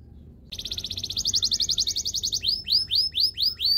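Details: Canary song for training, beginning suddenly with a rapid buzzy trill, then slower loud rising whistled notes repeated about three times a second.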